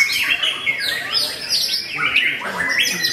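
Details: White-rumped shama (murai batu) competing at a bird singing contest in a 'super fierce fighting style': dense, fast bursts of loud whistled and chattering notes with sweeping upslurs and downslurs, overlapping with other birds' song.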